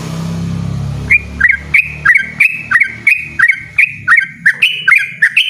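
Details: After a second of low rumbling background noise, a yellow-vented bulbul launches into loud, persistent ropel singing: crisp, ringing upward-flicked notes repeated rapidly, around fourteen in quick succession.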